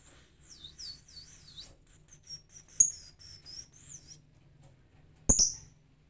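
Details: A lovebird sings in the ngetik style without any prompting, holding back from the long ngekek chatter. Thin, high twittering phrases come in quick bursts, broken by two sharp loud clicks near three and five seconds.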